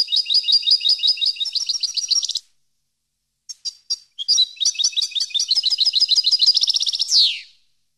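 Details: European goldfinch song for educating captive goldfinches: two long bursts of fast, rhythmic tinkling twitter separated by a silent pause and a few scattered chirps, the second burst ending with a buzzy descending slur.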